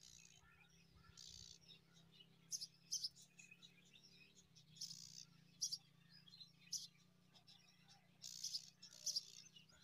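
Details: Myna nestlings, five young, calling as they are fed date fruit: short harsh hissing bursts in pairs and clusters every second or two over a steady low hum.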